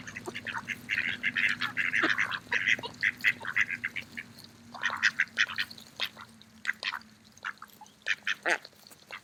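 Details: Mallard ducks feeding in a park on an autumn day: a dense, continuous run of short, nasal quacks and chattering notes from several birds, overlapping in quick bursts with brief pauses.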